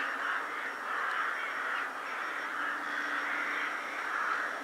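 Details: Countless rooks massing at Ottakring cemetery, Vienna, in winter before dusk; a continuous hoarse chorus of overlapping caws swelling and easing in waves, with no single bird standing out.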